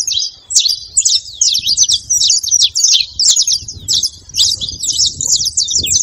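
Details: Saffron finch singing to fire up a cold, silent canary: a long stream of rapid, sharp, high-pitched chirps and scratchy trills, delivered in dense bursts with brief gaps, over faint low background rumble.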